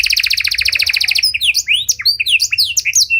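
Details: Panda canary singing a luxurious-style training song used to bait and train other canaries: a fast buzzy high trill for over a second, then a run of quick sweeping whistled notes, rising and falling.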